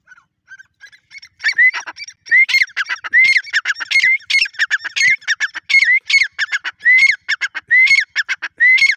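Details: Grey francolin, described as an Irani or dakhni teetar, calling in a loud run of ringing notes. Sharp, rising whistled phrases repeat about once a second, mixed with clicking and chattering notes, with a few softer notes at the start.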